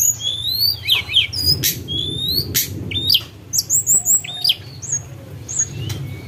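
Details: Snowy-browed flycatcher (tledekan gunung) song used as a lure: thin, high whistled notes, some rising and some falling, in quick varied phrases, with sharp clicks and a low background rumble.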